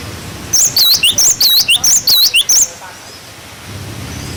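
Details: Clear 'wucit wucit' song of a cinereous tit, used to tutor young birds: a two-second run of fast, looping high whistles, roughly eleven notes, followed by a faint steady hum.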